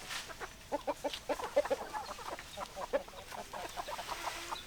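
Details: Farmyard chickens, hens clucking, in a short burst of rapid, irregular clucks and short notes packed close together, with a faint rustling background.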